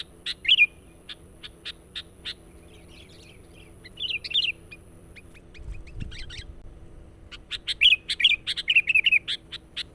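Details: Sooty-headed bulbul lure song for calling in wild birds. Clipped repeated notes and scattered warbles give way to a noisy lull, then a dense closing burst of chattering, whistled phrases.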